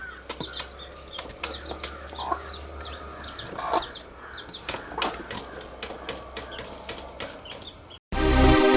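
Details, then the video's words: Newly hatched chickens give soft high chirps and occasional longer peeps amid tapping clicks and low hum, ending abruptly with a brief gap and then a loud burst of broadband noise. "Cute Baby Chicks with chirping sound"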